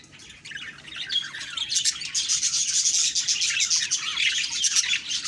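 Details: Flock of budgerigars chirping in the morning, October 2, 2023: quiet at first, then a rising wall of rapid, scratchy high twitters and chirps that stays loud to the end.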